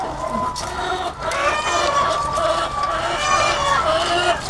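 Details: A huge flock of egg-laying hens on a farm, thousands strong, giving loud, layered cackles and nasal calls in a continuous dense chorus, with a short quieter gap near the start.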